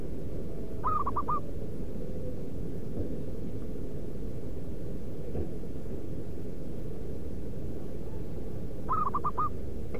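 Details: Zebra dove from the wild, its call meant as a lure for wild doves: one quick cluster of three or four hollow cooing notes, then a long pause of about eight seconds before a second similar cluster, over droning low noise.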